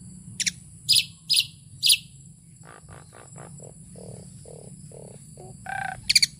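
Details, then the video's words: Singing tame Asian pied starling: several crisp high sharp notes at the start, then a series of short mid-pitched pulsed notes spaced about half a second apart, closing with a warbled phrase and a quick high triple burst; low hum beneath. "burung jalak suren ini jinak banget,suaranya bikin ngiler full isian"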